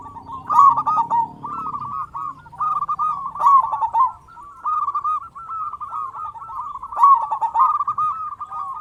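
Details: Vigorous local zebra dove used as a calling lure: rhythmic phrases of rapid, rolling coo notes repeated again and again with short breaks, and several louder accented bursts.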